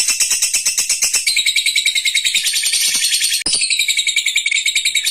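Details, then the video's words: Lovebird ngekek, a long unbroken chatter of fast, shrill, buzzy notes, interrupted by one very short gap before resuming at the same pace. "Love bird ngekek panjang"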